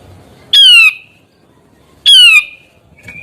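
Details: Grey-cheeked bulbul sounding off with two loud, nasal, downslurred squawks about one and a half seconds apart, each trailing into a lower tone, with a short faint note at the end.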